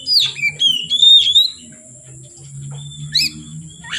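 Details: Oriental magpie-robin singing in the evening: a brief run of clear sliding whistles, then quieter single notes over a low humming background.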